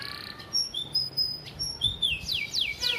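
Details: Canary singing a master vocal for training birds, with gereja fill-in material: varied pure whistled notes, some very high and level, others sliding, ending in quick descending sweeps. Low hum in the background.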